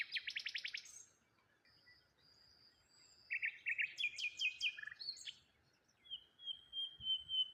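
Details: Morning birdsong beside water at a lone tree: a fast rattling trill opens, then a series of buzzy stacked chirps, ending with a long clear sustained whistle.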